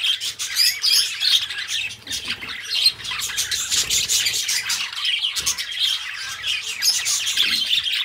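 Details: Companion budgerigars kept as pets, singing and talking: long, busy high-pitched chattering warble with rapid clicks, squeaks and short whistles, some soft low rustling beneath.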